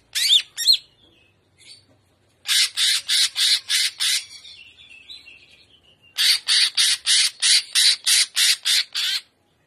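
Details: Greater green leafbird delivering gaya udang trotolan song: two sharp whistled notes, then two long runs of evenly spaced, harsh, very high rasping pulses, about three per second, linked by a softer warble.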